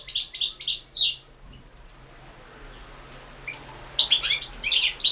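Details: Competition song of a European goldfinch, 2016 internet World Championship in Goldfinch Song; a rapid high twittering run opens, then a quiet gap, then another bright, jingling burst of notes.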